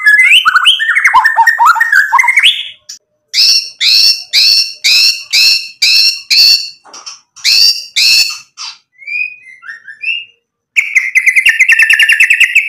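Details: White-rumped shama singing constantly, used as a lure to provoke other birds to answer, showing off its mimicked material: sliding whistles, then a run of bright, evenly repeated notes, a few soft chirps, and a closing buzzy trill.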